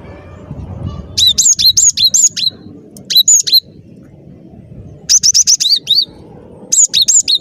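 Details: Lively cinereous tit song for luring birds to traps: four phrases of quick, bright, high notes, each note sliding downward, repeated several times per phrase with short silences between.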